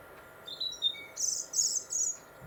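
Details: European robin winter song, Warwickshire, England, along the Monarch's Way, 2021: thin, high whistled notes and a lower slurred note, then quick, very high silvery trills over a steady faint hum.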